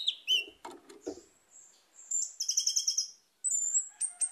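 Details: Orange-headed thrush song, played as a lure to get a caged bird that has stopped singing to sing again. Thin high whistles and rapid trills, some bursts of low knocking sounds, and short gaps of silence.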